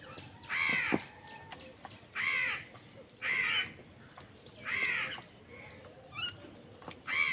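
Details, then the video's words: Raucous crow caws during a fight for food: four harsh, nasal calls roughly every one and a half seconds, then another starting at the very end, with faint clicks between. "কাকের ডাক Crow Sound Crow ki Awaz Loudly | Crow bird Fight for Food"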